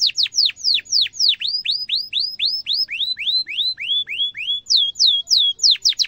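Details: Canary delivering emotive cuit-cuit song meant as a lure for young canaries to learn sounds. Clear whistled notes sweep down then curve up, repeated about three times a second, shifting pitch in groups.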